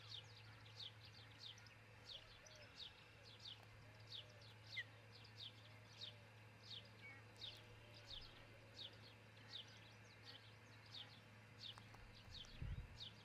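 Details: Nest-cam recording of an osprey at its nest in Charlo, Montana, early morning on 22 June 2018. A long series of high, falling chirps repeats steadily, with softer warbling from other birds, a continuous low hum and a thump near the end.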